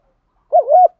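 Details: Single brief spotted dove coo used to rouse and lure other doves, a short low wavering note that dips and rises again, cut off within a second.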